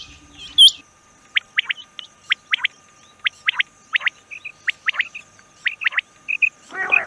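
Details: Rain quail calls: a run of short, sharp, high vertical chirps given singly and in pairs at a fairly steady pace, with a few soft dotted notes and a low rustle at the end.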